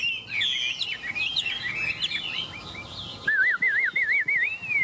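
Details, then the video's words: Chinese hwamei from Vietnam, praised for its song: quick jumbled whistles, then a clear wavering, warbled whistle that rises and falls rhythmically several times before ending on a long upward slide. "Họa mi đẹp hót hay"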